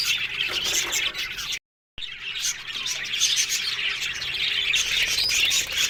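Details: Aviary colony of budgies, rapid repeated chirps and chattering from many birds, interrupted by a short silent gap before the flock chorus resumes.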